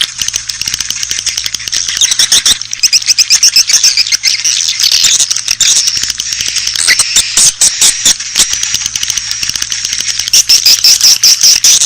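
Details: Attraction call for Asian swiftlets: continuous high, buzzy twittering overlaid with fast irregular clicks throughout, thin whistled trills emerging toward the close.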